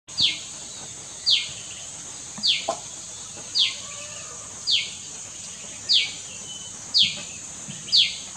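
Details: Common tailorbird behind a house at Doi Chorakhe, Mae Chan, Chiang Rai, Thailand, 26 June 2018, giving sharp, high, downward-sweeping notes about once a second, eight in a row, over a steady high insect drone.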